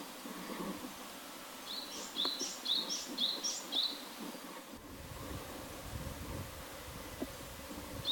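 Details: Song of a Japanese tit: about five quick two-note phrases, a sharp high note dropping to a rising whistle, roughly two per second, followed by a pause with low ambient noise and a single note at the close.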